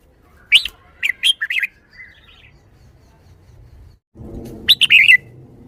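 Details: Red-whiskered bulbul kept in a cage, singing in the bottle-shaking style: a lively run of sharp, jerky chirps and warbles, a pause, then a quick tumbling burst of rolling notes over faint low rumble.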